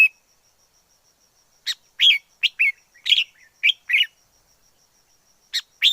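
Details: Red-whiskered bulbul from the forest delivering a lively phrase of five or six short liquid whistles with rising and falling slurs, then a pause and a fresh opening note.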